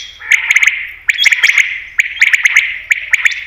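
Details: Common quail call used as a hunting lure: buzzy, scratchy bursts near the mid-high range with sharp clicking ticks and short flat whistled notes, coming in clusters with brief pauses between them.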